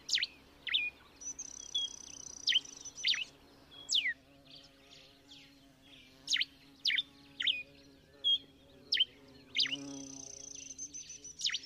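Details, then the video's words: Common diuca finch from Chile singing: short clear whistled notes and sharp downslurred chips scattered through the clip, with some longer high flat whistles, over a faint low steady hum. "Diuca canto"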